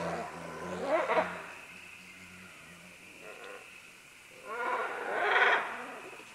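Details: Several green-winged macaws calling as they descend along vines, heard at close to middle distance: two bursts of harsh, raucous squawks about four seconds apart, with a low steady hum underneath.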